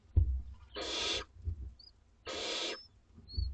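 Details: Begging from two-week-old Barn Owlets at a school garden nest during feeding time: two long rasping hisses about a second apart, with faint thin squeaks and low bumping sounds between them.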